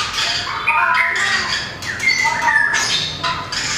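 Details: Contest-singing white-rumped shama, small with a very long tail, flicking it as it runs perches; short whistled phrases and a gliding descending whistle among harsh broadband rasps.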